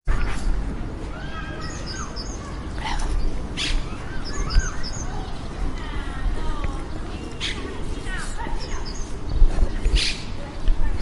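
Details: Monk parakeets, also called Argentine parakeets, giving harsh, buzzy, rasping calls with scratchy rising and falling notes in bursts, mixed with sharp clicks and chatter over a steady low background noise.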